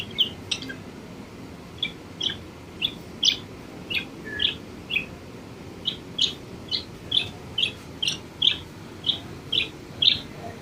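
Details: A pet budgerigar being tamed gives short, bright chirps, repeated roughly every half second to second.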